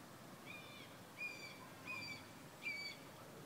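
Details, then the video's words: A young hawk in its territory right outside a house gives four thin, high, slightly nasal calls, each briefly drawn out and spaced under a second apart, over a faint steady hiss. "Hawk is calling"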